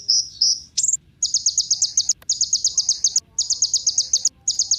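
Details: Sunbird (kolibri ninja) singing as a lure for other songbirds: two thin whistled notes and an upward sweep, then fast, high, metallic trill phrases repeated with short gaps.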